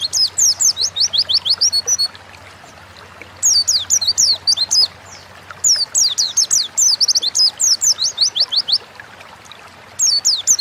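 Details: Caged Oriental white-eye, kept as a home songbird in Indonesia, delivering quick strings of high, sharp, falling whistled notes in four separate bursts of one to two seconds, with a faint low hum in the background.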